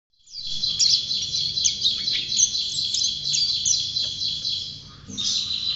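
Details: Champion white-eye singing vigorously: a dense, unbroken stream of very high, thin twittering notes with quick up-and-down slurs, pausing briefly near the end before resuming.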